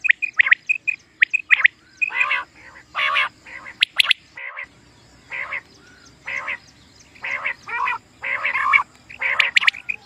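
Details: Common quail for quail hunting: short whistled notes and clicks at first, then a string of harsh rasping buzzy calls spaced about a second apart, low hum in the background.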